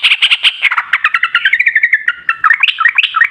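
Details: Yellow-vented bulbul singing as a lure for other bulbuls: a dense, continuous chatter of quick chirps that slides gradually lower, then rises again into rapid jumbled notes.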